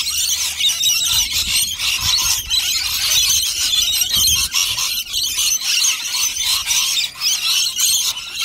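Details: A raucous gathering of rainbow lorikeets at their nectar feed, many birds screeching and squealing together in a dense, unbroken high chatter.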